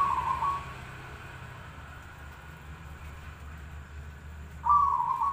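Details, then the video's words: Zebra dove singing, the kind of song prized for contests and daily listening: a short burst of low, rolling, trilled coo notes opens, then about four seconds of quiet background hum, then a louder rolling coo phrase near the end. "suara perkutut paling bagus buat lomba dan harian"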